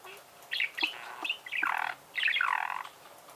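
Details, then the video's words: Budgerigar song heard as a few short chirps followed by two longer rasping, chattering warbles, each lasting about a third to three quarters of a second, over faint background hiss. "Пение волнистого попугая"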